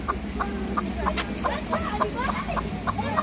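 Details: Chukar partridge, a bird kept for hunting and fighting, giving brisk, evenly spaced chucking notes with a few rising slurred syllables, steady low hum underneath.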